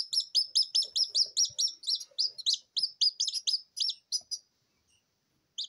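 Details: Incubator-hatched Silkie Serama babies, not yet dry and lacking a mother hen, give a rapid stream of shrill, high peeps, several overlapping, about four a second before trailing off to one last cheep.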